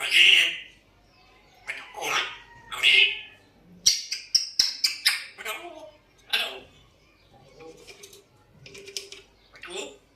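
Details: Pet African grey parrot indoors, always whistling and trying to talk: loud squawky, speech-like bursts and short rasping notes come in uneven clusters over ten seconds, with quieter murmured phrases toward the end in a small room.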